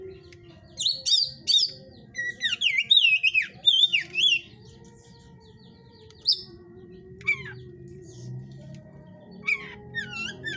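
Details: Caged 'hot type' Oriental magpie-robin from a breeder's enclosure: bursts of rich, fast whistled phrases with wavering slurs, a pause, then scattered sharp notes and more short whistled runs, over a low background hum.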